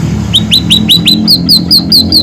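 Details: Scaly-breasted munia in a masteran recording, its song given as natural and lively: a series of about ten short high notes, each a quick rising or falling whistle, spaced evenly over a steady low hum.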